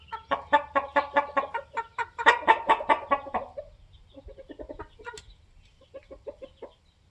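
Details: Polish layer hens, 21 weeks old, kept with their protective rooster: a rapid run of harsh, harmonic clucks repeating about twice a second for nearly four seconds, then softer, lower clucking notes trailing off.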